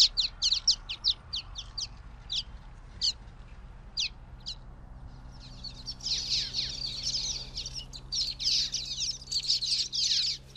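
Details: Common waxbill, Estrilda astrild, gives a run of short high chips spaced out at first, then a continuous buzzing, twittering chatter, with a low background hum throughout.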